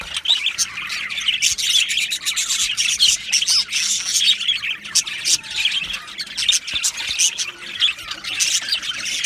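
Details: Large budgerigar colony in an aviary: nonstop high twittering and squawking from many birds, dense overlapping chirps with occasional sharp clicks.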